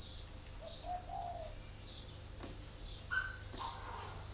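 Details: Three-year-old caged decoy spotted dove, northern Vietnam, delivers a short low cooing phrase. Scattered high chirps and a constant thin high tone run through the background.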